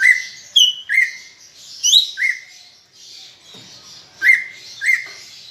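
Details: Cucak ijo, the greater green leafbird, giving energetic 'ocehan' singing meant to spur pet birds into song: repeated sharp upslurred whistles roughly every half second, mixed with higher chirps over a soft steady hiss.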